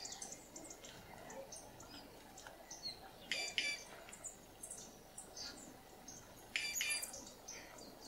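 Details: Inca jay at San Isidro, Ecuador, giving harsh, raspy call bursts. Two loud clusters come about three seconds apart, with faint ticks and high chirps from other birds scattered around them.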